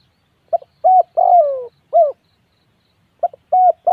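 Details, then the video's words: Spotted dove cooing one full phrase of short notes framing a long, downward-sliding coo, followed by the opening coos of the next phrase; background quiet. "tiếng chim cu gáy gu"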